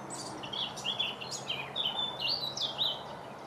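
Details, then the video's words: A blackcap singing in May 2018 gives a run of looping, fluty whistles and warbles, rising and falling without pause, over a low hum and hiss. "Blackcap Song"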